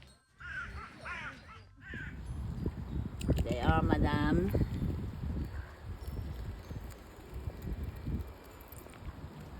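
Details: Crows giving a group alarm, described as barking, while a swan and ducks are hand-fed in Norway in September; harsh repeated caws in short bursts over a woman talking and low background rumble.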